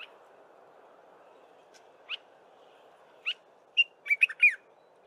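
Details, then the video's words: Dark-capped bulbul singing in the early morning: a few separate sharp rising notes spaced about a second apart, then a quick bubbly cluster of liquid whistled notes over a low background hum. "Dark-capped Bulbul singing in the early morning"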